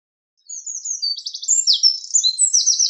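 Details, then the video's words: Shrill, energetic wren song: high thin notes, a quick stuttering trill, then louder sweeping phrases, beginning after half a second of quiet and continuing to the end; no other sounds. "Sound of Birds: Wren / Winterkoninkje / Troglodytes troglodytes"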